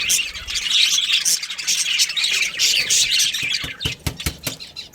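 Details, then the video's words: Colony budgerigars, a breeding pair among them, chirp in a dense high chatter for about three seconds, then sharp clicking taps dominate as the chirping thins out. "Cute Budgies Chirping Sounds"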